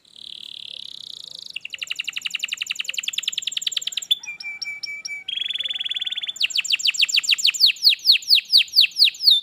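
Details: Canary singing, used to get a quiet canary to start: long buzzy trills, a pure held whistle, then a rolling series of loud descending sweeps repeated about twice per second.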